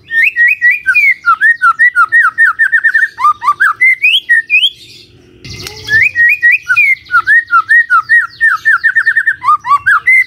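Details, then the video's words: Lure song of a magpie-robin for the morning, intended to make a silent bird join in: rapid strings of whistled, slightly hooked notes, a brief noisy break midway, then the same fast whistled series again. "Pancingan PAGI PAGI AGAR MURAI GACOR❗ murai diam pasti ikut NYAUT❗❗"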